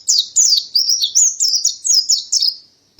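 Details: High, sweet chirps from a Mountain white-eye, about eight separate slurred notes given roughly three per second and each dropping in pitch. The phrase ends in silence and a short low thump.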